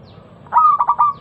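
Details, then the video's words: Single phrase of local zebra dove lure song, played to prompt other perkutut to sing: a sharp onset followed by three quick rolling coos and a held, slightly falling tone. "Masteran pancingan burung perkutut lokal suara Lantang kristal"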